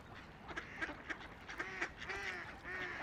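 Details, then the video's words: Ducks on a quiet river give clear, nasal quacks in quick uneven runs, several with a drawn-out, slightly falling tone, about eight calls in three seconds, over faint river background. "Relaxing Ducks Quacking by the River"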